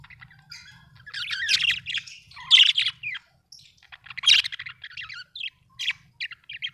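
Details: Budgie chatter in quick bursts of twittering, buzzy warbled notes and sharp squeaky chirps, separated by short pauses, with one louder squawky flurry midway. Faint low hum in the background.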